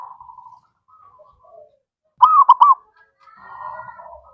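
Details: Zebra dove song used as a lure for other doves. Quiet murmuring coos lead into a sudden loud triple-note rolling coo in the middle. A long, soft, wavering coo follows, with a clean, quiet background.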